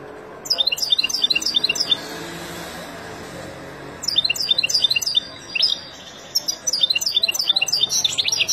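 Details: Wild European goldfinch song for training young birds: repeated bursts of fast, high, jangling twitters and buzzy trills with short gaps between phrases, over faint background hiss.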